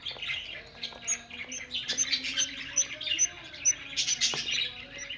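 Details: Breeding budgerigars chattering: a busy, scratchy stream of high chirps, clicks and squeaks, with brief sharp pips scattered through and a faint low hum in the background.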